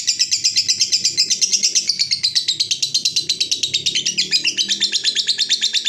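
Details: Lovebird giving a long ngekek call, used to lure other lovebirds and as a master recording for training: a rapid, high, chattering trill of harsh notes at about three per second, sustained without a break.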